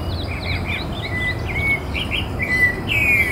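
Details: Rufous-bellied thrush recorded in Porto Alegre Botanical Garden, Brazil, on 14 October 2017: a quick run of short, clear whistled and chirping notes, some sliding downward, at a fairly high pitch over a steady low background rumble.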